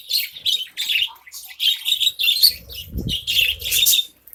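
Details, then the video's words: Colony of caged budgerigars feeding on grain, giving a dense, continuous high chatter of warbled chirps and squeaks, with low rustling and knocking noises partway through. "Budgies Birds Feeding"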